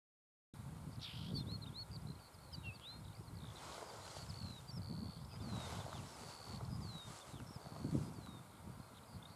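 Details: A very active Northern wheatear in the heights of Super Besse gives short, high, curling whistled notes and scratchy phrases every second or so over steady low wind rumble and rustling; it flies off and keeps returning to the same spot.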